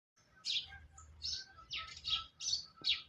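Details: Pure Sindhi black francolin of the chirki strain calling: a run of about seven harsh, buzzy, high notes spaced roughly half a second apart, with a faint low rumble underneath.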